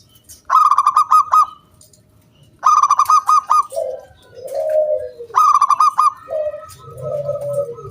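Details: Loud local wild zebra dove giving its 'kung bulat' song, played as a lure to set other doves singing. Rapid staccato clicking notes run into a short note and then a long, sinking coo, with the pattern repeated three times.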